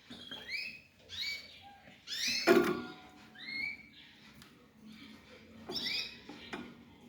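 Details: Young African yellow canary × canary mule uttering a run of short upward-sliding chirps, one loud clattering knock midway, then further rising notes spaced about a second apart indoors.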